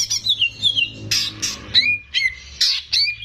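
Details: Greater green leafbird, the owner's own contest bird, singing to train young birds: descending whistles, harsh buzzy bursts and sharp downslurred notes repeated roughly every half second.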